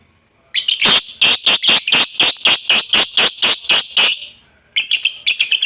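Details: Lovebird still learning its chattering call: a rapid, harsh series of squawky chirps, roughly four per second, running about three seconds, a short pause, then another burst of quick notes.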